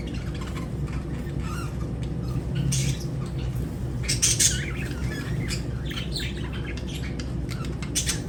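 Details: Lovebird chirps and squawks in scattered harsh, shrill bursts, loudest around the middle, with brief gaps and a constant low droning hum underneath.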